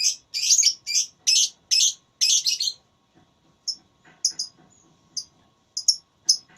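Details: Lovebird in a singing contest, delivering a run of loud shrill chattering notes, then scattered short high chirps with gaps between them.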